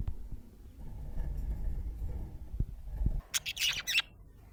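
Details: Happy budgerigar chirping: a short burst of several bright, harsh chirps near the end, preceded by low room rumble and a few soft knocks.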